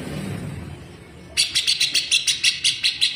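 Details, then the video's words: Grey-cheeked bulbul (cucak jenggot) singing the rapid 'besetan' style at full speed as a training model for caged leafbirds; low background hum, then a fast string of about ten harsh, high, evenly spaced notes. "CUCAK JENGGOT GACOR BESETAN RAPAT"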